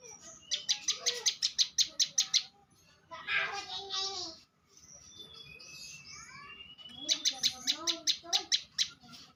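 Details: A champion bar-winged prinia gives two long runs of rapid, sharp, high clicks, more than ten notes each, with human voices and softer chirps in the gap between them.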